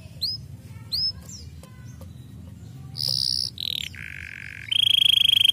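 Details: Canary song in changing sections: a few high downslurred notes, then a buzzy high trill, a dropping rolled phrase, a lower rapid trill and a final bright rapid trill, over faint low hum.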